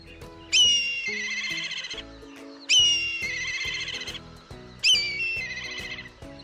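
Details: Black Kite in India, a scavenger that circles over cities, towns and villages, gives three shrill, whinnying calls about two seconds apart, each a sharp high whistle breaking into a long quavering trill, over soft background music.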